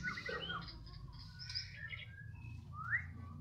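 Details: Afternoon song of a Medan white-rumped shama: a varied run of clear whistles and chirpy notes, ending in a rising whistled phrase, set against a low background rumble.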